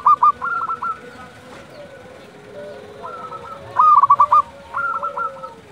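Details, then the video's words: At dusk, local zebra doves give short runs of staccato, bubbling coos, with quieter lower coos from another dove in the gap and a louder burst of four or five notes near the end. "perkutut lokal gacor panggilan waktu senja"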